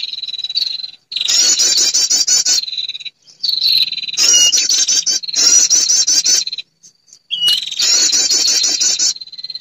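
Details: Lure recording of a female prinia calling males: sharp rising note, then dense buzzy rattling bursts and held high whistles, repeated about three times with brief pauses.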